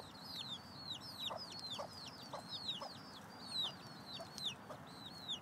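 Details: Mother hen with six chicks scratching for food in late July: chicks give a steady stream of thin, high, down-slurred peeps, overlaid by the hen's short, low clucks spaced about half a second apart.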